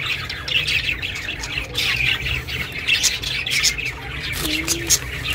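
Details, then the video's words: Pet budgerigar chirping, recorded as company for budgies living alone: a dense, continuous chatter of short high chirps and squawky notes, with a steady low hum underneath. "chirping sounds"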